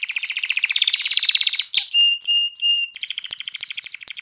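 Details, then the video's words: Singing canary, its song meant to rouse females for mating and prompt chicks to sing: a fast buzzy rattling trill, a sharp click, three clear level whistles, then a high rapid pulsed trill. "تغريد كناري نار لتهييج الإناث على التزاوج وتحفيز الفراخ على التغريد"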